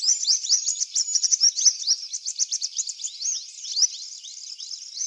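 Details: Purple sunbird in eclipse plumage singing in a garden: a dense, very high, rapid twittering of thin chips and short upswept notes, with a long thin whistle early on and no other clear sounds.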